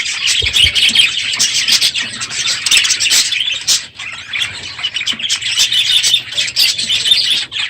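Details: A full aviary of budgerigars calling loudly in the morning at the close of the breeding season: continuous warbling, chirping chatter from many birds with no pauses.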